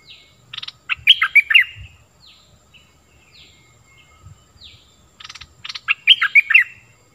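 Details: Lure song of a stripe-throated bulbul, played to teach young birds and attract wild ones; rattled note bursts followed by a bright warbling whistled phrase, given twice, with soft chirps and a low background hum between.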